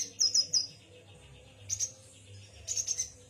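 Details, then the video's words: Yuhina twittering: three bright, very high chirps in quick succession at the start, a short burst after a pause, then a close cluster of sharp chirps near the end, over a faint steady low hum. "Kicau burung yuhina"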